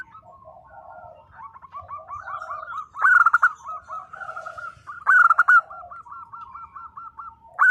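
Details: Local zebra doves singing loudly: a bright burst of stuttering notes opens each phrase, followed by a long run of evenly spaced short hooked coos. A full phrase returns roughly every two seconds, and quieter doves sing behind it.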